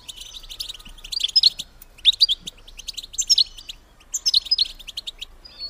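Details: Call of a female European goldfinch, used to encourage males to breed: four quick bursts of sharp, high, tinkling chirps, each about half a second long and spaced roughly a second apart.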